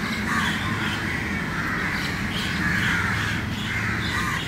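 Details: Crows gathered in a crowded early-morning meeting, calling kav kav: a dense, continuous chorus of overlapping harsh caws with steady low background rumble.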